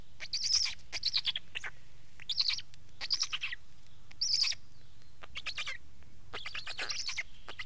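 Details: Black stork producing separate rasping, breathy bursts, some sharper and louder, spaced irregularly with short silences.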